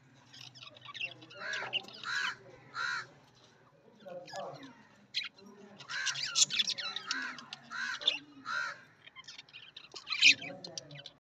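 A grey francolin gives loud, harsh notes repeated in quick bursts, while lovebirds add high, squeaky chatter.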